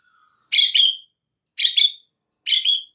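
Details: White-rumped shama, a master recording meant to make other shamas excited and sing along, gives three harsh, broad double-note bursts about one second apart, each a quick pair of rasping chirps, in otherwise silent surroundings.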